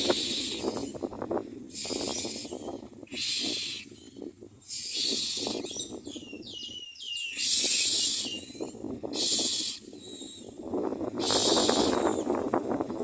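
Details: Common myna feeding its young at the nest: a series of rasping, hissing bursts with quiet gaps between them, and a brief run of quick, warbling chattering notes midway through, over a faint low rumble.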